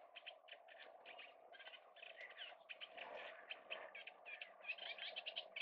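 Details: Oystercatcher giving a rapid, unbroken run of short, shrill piping notes, several per second, some slightly rising, over a steady low background rush.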